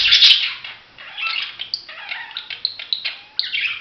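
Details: Budgerigar chirps and short warbling phrases, starting with a loud burst and followed by a string of bright, separate tweets and quick rising notes after a brief pause.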